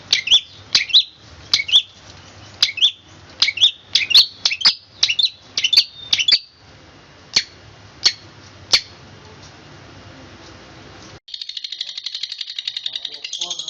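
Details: Long-tailed shrike (cendet) singing in the fast, tight 'roll speed rapat' style: a run of sharp, high chirps about twice a second, spacing out toward the end, then a soft buzzy hiss.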